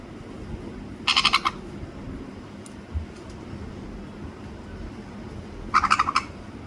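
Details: A sun conure, while eating a meal, gives two short bursts of rapid, raspy pulsed chatter a few seconds apart, described as its special voice.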